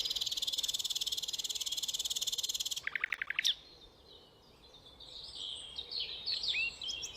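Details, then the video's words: Rufous nightingale song opening with a fast, dense, buzzy trill held nearly three seconds, then a brief run of lower rattling notes, a quiet gap, and soft high warbled notes. "Rufous Nightingale"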